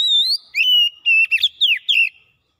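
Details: Oriental magpie-robin (kacer) singing in chatty gacor style while showing off its repertoire: a long pure whistle that rises, followed by clipped whistled notes and a falling slur, all clean and close.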